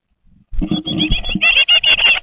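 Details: Great tit chicks, 20 days old, in a nest box watched by a webcam: dull low thumps and rustling give way to rapid, high, squeaky chirps that repeat in quick bursts.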